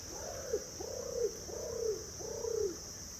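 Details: An Imperial pigeon in rainforest on Christmas Island, among swarming red crabs, gives four deep, hollow, arching coos about every half second, each swelling then dropping, over a steady high insect hum.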